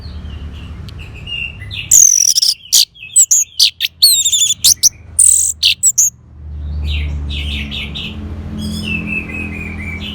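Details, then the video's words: Fast, loud Orange-headed thrush song, played to stimulate a bird that has gone quiet: a jumble of sharp high notes and clear slurred whistles over about four seconds, between stretches of faint distant bird phrases and low rumble. "Terap1 Suara ANIS MERAH Macet Bunyi Agar Mau Kenceng Dengar Kicauan Ini. dijamin Pasti Nyaut."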